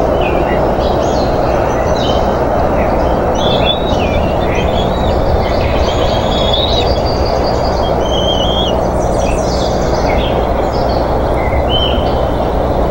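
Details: Bald eagles at a Minnesota nest on 20 June 2014, one grabbing and mantling a fish, heard through a live cam: scattered thin, high squeaky whistles and brief chattering bursts, partly masked by a loud, steady, rumbling hiss.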